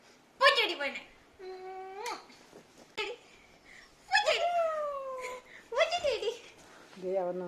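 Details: Talking parrot heard indoors: a string of harmonic, speech-like utterances. Some are sharp, rising squawky phrases, others steady tonal notes or long falling glides, separated by short pauses, with faint background music.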